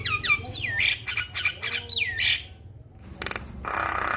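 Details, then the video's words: Male Javan myna, recorded as a master to make other mynas sing, gives loud downslurred whistles mixed with harsh rasping bursts, a brief pause, then a grating hiss. "Masteran jalak Kebo jantan Suaranya Bikin Burung jalak Anda Langsung Bunyi"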